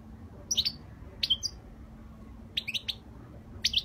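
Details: Spanish European goldfinch giving flawless song: short, sparse high chirps and twittered notes in small clusters, separated by pauses, over a low steady background hum.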